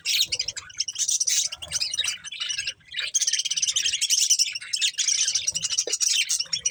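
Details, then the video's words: Budgies feeding on corn keep up lively, continuous high warbling and chirping, rising and falling in loudness with brief gaps. "Cute Budgies Enjoying Eating Corn | Love Birds Chirping Sounds"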